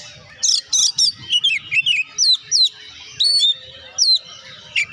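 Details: Singing Oriental magpie-robin, a recording meant to spur reluctant birds to sing; crisp whistled notes and quick up-slurred chirps in rhythmic bursts roughly twice a second, some sharp clicks, faint background hum.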